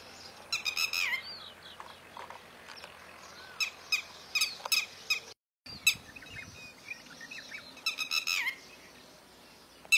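Northern Lapwing giving wheezy, slurred calls in three short bursts a few seconds apart, with sharp clicky notes over a quiet open-air background.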